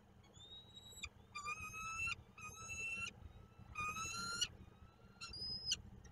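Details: Peregrine falcon at its nest in Koszalin, Poland, 15 March 2022: repeated harsh, drawn-out wailing calls, each slightly rising, in a series of about five, over steady low background rumble.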